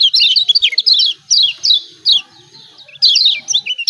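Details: Lombok kecial kuning white-eye in full 'ciak ciak' calling, used to provoke reluctant birds: a fast flurry of high chirps, several spaced downslurred notes, a pause, then another rapid burst.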